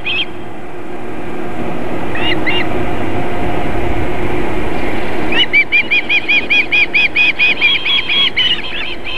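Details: Osprey female at a South Estonian nest in Võrumaa, near a river and fish farm, feeding chicks on a July 2021 evening. Long rushing, wind-like noise with a few faint chirps, then a quick burst of shrill, evenly repeated whistles.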